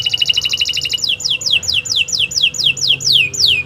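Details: Canary song for training other birds. A fast, even run of high chirps speeds along for a second, then gives way to a string of clear, downslurred whistles repeated at a steady pace of about three per second.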